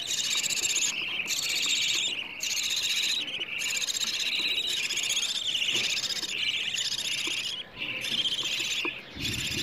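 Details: Begging of budgerigar chicks asking to be fed, used as playback to encourage budgies to breed, morning or evening: continuous harsh rasping chatter in repeated bursts about a second long with short gaps between.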